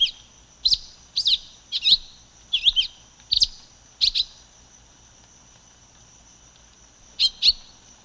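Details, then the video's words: Silver-beaked tanager (Ramphocelus carbo) giving short, sharp high chirped notes in loose clusters, a few quick notes then a pause of about three seconds before two more, over a faint steady high hiss. "Canto da Pipira Vermelha Ramphocelus Carbo"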